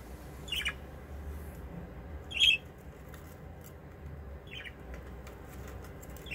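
A budgerigar gives short, bright chirping squawks, four of them spaced roughly two seconds apart, over a steady low background rumble.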